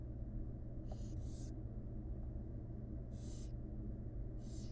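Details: Wild barn owl chicks in a monitored nest box, fed gently by their mother, give rasping hissed begging bursts: a quick pair near the start, then two more spaced about a second apart, over a steady low rumble.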